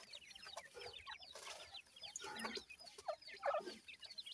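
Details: Several grey francolin chicks feeding and playing. Their high, squeaky, slurred peeps pour out in a crowded, overlapping chatter, with some scraping and pecking sounds beneath.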